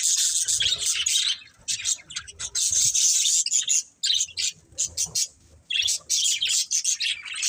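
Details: Budgies chirp in loud clusters of high, buzzy warbles, broken by several short silences and then quick chirp bursts.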